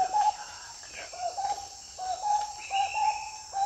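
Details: Marbled wood quail (Odontophorus gujanensis) giving repeated mellow, whistled phrases at low-mid pitch, each a quick rolling two-to-three-note figure, about three per second, over a steady high insect drone.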